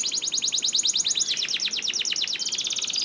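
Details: Canary song played to encourage other canaries to sing, a fast unbroken trill of rapid repeated high notes, about ten per second, bright and metallic.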